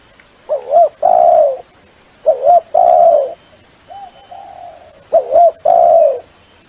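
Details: Spotted dove cooing in the sấm chuông style, used to stimulate males, females and newly caught birds: three low, mellow phrases, each a quick wavering double note followed by a long, steady coo, spaced about two seconds apart.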